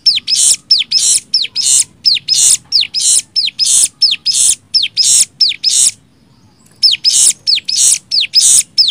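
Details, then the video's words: Master track of a cigun singing nembak: a long run of falling whistles joined to rasping buzzes, rhythmic and insistent, broken by one short pause before resuming. "MASTERAN CIGUN NEMBAK 6 VARIASI"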